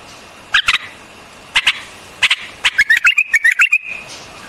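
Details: Song of a white-eared bulbul, paired sharp clicks a second apart, then a quick run of sharp notes ending in a bubbling, warbled phrase that wavers up and down.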